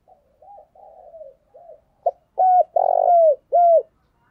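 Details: Spotted dove giving intense cooing used as a decoy call: low, hollow coos, soft at first and then three loud, mellow notes with a slight downward slur, a little under a second apart.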